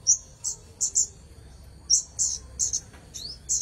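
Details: Red-headed bunting in lively song, giving bright high chips spaced irregularly, some doubled, one ending in a short rising slur, against a constant faint high-pitched tone.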